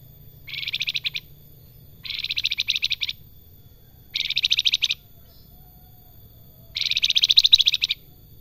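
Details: Actively singing salakan with a melodious, flute-like song style: four separate bursts of fast, high, rattling trills, each under a second or so long, spaced by brief gaps against a faint low background hum.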